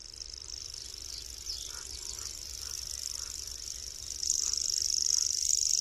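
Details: Common grasshopper warbler (Locustella naevia), a small migratory bird, giving a thin, continuous high insect-like reel. Faint lower bird notes drift in around the middle, and the reel grows louder and brighter over the final two seconds.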